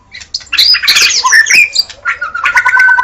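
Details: White-rumped shama, a caged songbird, in loud dense song: a tumble of whistled and harsh notes, then a long steady whistle held near the end.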